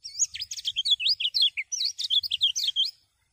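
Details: Common iora (kecial kuning) song, played to stimulate other birds to sing: a fast, lively run of high whistled and twisting chirps, about three notes per second, ending abruptly after three seconds, with faint low rumble beneath.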